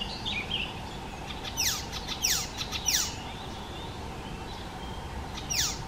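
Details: Icterine warbler uttering harsh, loud downward-sweeping notes in spaced bursts, with a short warbled phrase at the start and steady faint background noise.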